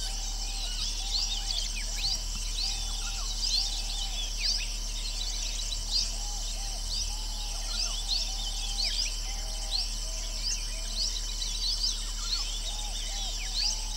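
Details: Little Green Bee-eaters (Merops orientalis) perched on a bush give a busy stream of thin, high chirps and short trills, overlapping throughout, over a steady low rumble and softer mid-pitched calls.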